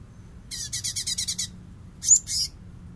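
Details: Light-vented bulbul, recorded as a training song for other songbirds, giving a fast run of about eight harsh, chattering notes, then two louder squeaky bursts after a short pause; a faint low hum beneath.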